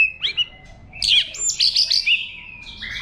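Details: White-rumped shama in forest-voice song for stimulating wild-caught birds: a short whistle and pause, then a loud tangle of bright warbles and high whistles that tails into softer notes.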